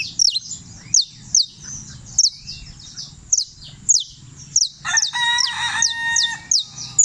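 High, sharp down-slurred notes repeat about twice a second from a Saffron Finch, while a rooster's harmonic crow breaks in briefly near the end.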